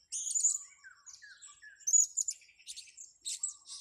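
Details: Blue-crowned hanging parrot, lured, with busy overlapping high shrill chirps and buzzy squeaks in irregular bursts; softer lower whistled notes from other birds sound in between.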